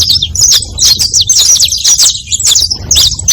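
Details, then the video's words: Bright chattering saffron finch song meant to attract others of the species: quick, sharp chips and twitters follow one another densely, over a light low rumble. "Som de CANÁRIO da TERRA para atrai canarios!"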